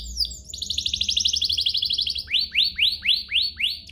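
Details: Lure song of a canary, meant to provoke other canaries to sing: high falling slurs open into a fast rolling trill, followed by rising swept notes repeated about twice a second.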